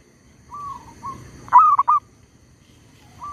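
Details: Trapping decoy zebra dove calling on despite a tree squirrel nearby. Two soft level coos lead into one loud phrase of a sharp note and quick broken coos, then another soft coo begins.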